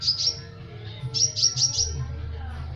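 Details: Kolibri ninja sunbird giving a rapid trotolan song meant for tutoring other cage birds: thin, very high chirps, two quick notes, a short pause, then a run of four sharp tweets with faint low background hum.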